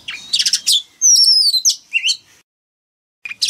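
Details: Male oriental magpie-robin kept in a cage, singing so young birds will sing along: quick buzzy chips, then long bright whistles gliding down, a rising slur, a silent gap and two final notes.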